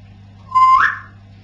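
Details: A pet parrot at home giving a single pure whistle that holds level and then sweeps sharply upward in pitch, lasting about half a second over a faint, low room hum.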